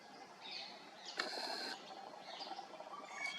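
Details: Male Orange-headed Thrush of the citrina race, recorded at Ghana Bird Sanctuary, Bharatpur National Park, Rajasthan, India, in February 2021, sings short, clear whistled phrases, high and slightly sliding, with a harsher scratchy burst midway over steady background hiss.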